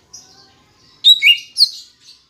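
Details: Green leafbird song serving as a lure for captive birds: faint high trill, then a burst of loud twisting, squeaky whistles and a brief scratchy note.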